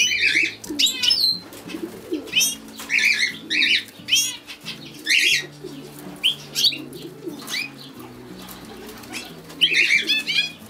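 A European goldfinch sings bright, tinkling twitters in quick bursts every second or two, over a soft, steady low musical accompaniment.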